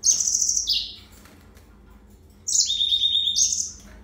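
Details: Yellow-fronted canary singing: a fast, high trill that drops a step, then silence for over a second. A second phrase of layered, rapid trilled notes follows.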